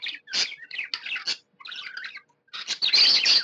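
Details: Happy budgie chattering: quick buzzy chirps in uneven clusters, a quieter patch of soft warbling, and a loud, harsh, grating chatter to finish.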